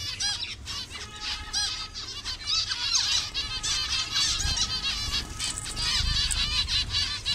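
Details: A crowded colony of zebra finches of various colour varieties in Bangladesh chatters nonstop with high, nasal chirps and short beeps overlapping several times a second, over a low background rumble.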